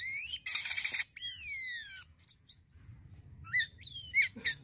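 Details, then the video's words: A starling sings a lively, varied song: a harsh, scratchy burst, then long slurred whistles falling in pitch, followed by quick chirps and squeaky rising notes. "JALAK KAPAS ISIAN GACOR"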